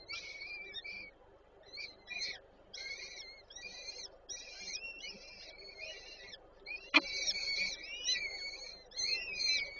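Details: Warsaw Żerań, 8 May 2023: a peregrine falcon female feeds chicks at the nest. Choppy rows of piercing, buzzy-edged whistles, repeated in quick clusters, with one sharp click midway.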